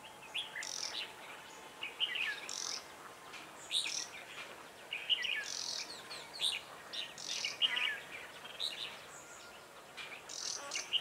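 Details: Decoy red-whiskered bulbul singing at a trap to lure wild birds; quick, bright chirping phrases come every second or two, with several birds calling amid outdoor background hiss.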